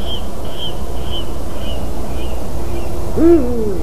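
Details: Eurasian eagle-owl in a white-tailed eagle's nest on 12 March 2019 at 18:26; a single rough, arching call near the end, preceded by a series of high thin whistles from another bird and constant low hum.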